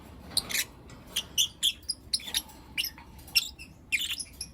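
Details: Lovebirds, blue opaline and lutino opaline colour forms, chirping in the morning: short sharp high-pitched chirps and squeaks in scattered bursts, some with brief whistled tones, over a quiet background.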